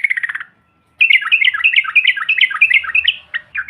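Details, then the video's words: Yellow-vented bulbul (trucukan) ombyokan call used to provoke other birds: a brief chattering burst, a half-second gap, then a lively stream of rapid, warbling, up-and-down notes that keeps going to the end. "TRUCUKAN BAHAN ATAU Ombyokan, Paut BISU Seketika BUNYI NGAMUK Mendengar SUARA INI"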